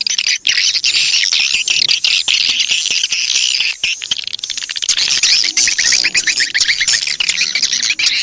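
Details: Swiftlets in a lure recording played to attract them: a dense, continuous chorus of high, rapid chirps and twitters with sharp clicking ticks throughout. Clearer rising, repeated chirp phrases come through in the second half.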